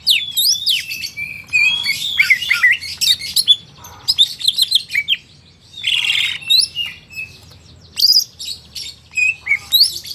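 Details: Long energetic song from a market-sourced greater green leafbird: dense twittering runs, rising and falling whistles, harsh buzzy bursts and rapid high chips in varied succession.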